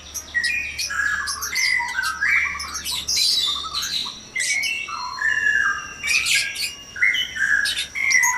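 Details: Loud, busy dawn song of white-rumped shama in a breeding cage: many short whistled notes and rasping chirps in quick succession, with varied phrases overlapping and little pause.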